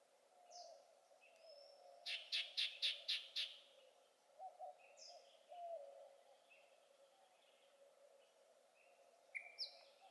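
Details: Yellow-breasted chat singing at Cibola National Wildlife Refuge, Arizona, on 6/7/20: a burst of about six loud, evenly spaced harsh notes, then scattered whistles, clucks and short downslurred calls with pauses, over a steady low hum.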